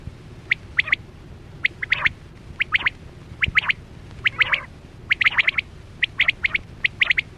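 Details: Chora quail call used as a hunting lure with nets, 2024-25 season: sharp, chirpy notes, often in quick pairs or triplets, repeated irregularly about once a second over a faint low hum.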